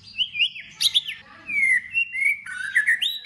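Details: White-rumped shama singing in competition style, mixing sweet whistled notes that hold and fall with a quick burst of sharp, high chips, then warbling phrases that climb at the end.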